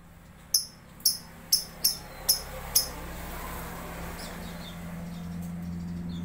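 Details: Lovebird in an online singing competition, from Sambas, West Kalimantan: six sharp, high chirps spaced about half a second apart, then faint distant twittering over a steady low hum.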